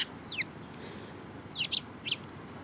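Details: Sparrows recorded 18 March 2018 give quick high chirps, a falling slurred note first, then a cluster of three bright clipped chirps near the end against faint background noise.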